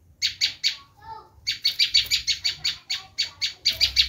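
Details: Bar-winged prinia scream used to lure wild prinias: three harsh notes, a faint soft twitter, then a quick, steady run of loud buzzy chips.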